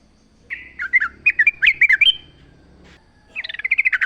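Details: Sooty-headed bulbul recorded in natural surroundings, delivering a varied run of bubbly, warbling notes that rise and fall, followed after a pause by a quick series of repeated chirps.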